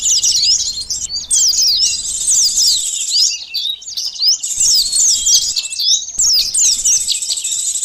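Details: High-pitched sunbird twittering played as bait for birds: rapid, thin slurred notes in bursts, separated by short quiet breaks.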